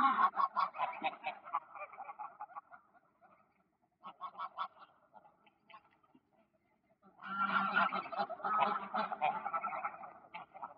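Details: Scattered greylag goose honks on ponds in Poleski Park in October 2024 fade to near silence, then a big outburst of rapid, overlapping honking from the flock fills the final seconds.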